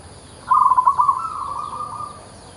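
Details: A local zebra dove (perkutut), described as an active singer with an unusual voice, gives a low, soft coo: a quick stutter of clipped notes running into a rolling, purring trill, over faint background hiss.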